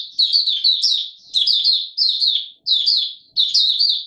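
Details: Singing white-eye, known locally as Mata Puteh Raja, recorded 20 March 2022 in warm humid weather: bright, high-pitched warbling bursts of quick tumbling notes, each phrase under a second, repeated with brief gaps in clean surroundings.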